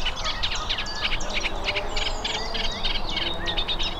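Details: A Eurasian reed warbler sings nonstop in spring at Drakelow reserve, Derbyshire, as summer visitors return: a steady, chattering stream of grating and clicking notes, each phrase repeated two or three times, over low wind rumble.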